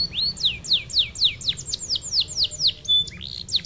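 A canary sings a fast run of bright, repeated downslurred notes, about four per second, ending in higher trills and chirps.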